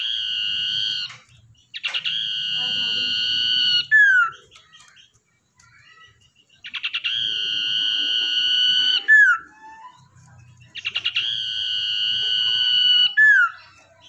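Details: A common iora taken from the wild and tamed for luring repeats its phrase three times: stuttered notes, a long even whistle, then a brief downward slur, with quiet pauses between.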